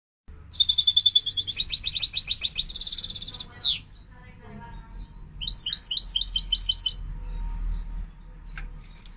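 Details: European goldfinch, Moroccan, at a bird market in Casablanca, sings two bright phrases of rapid, high, liquid twittering trills with a buzzy tinkling passage between them; a faint low hum runs underneath.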